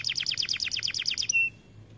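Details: Aviary-kept white AF canary giving a quick rolling trill of about a dozen high descending notes, closing with a short steady whistled tone.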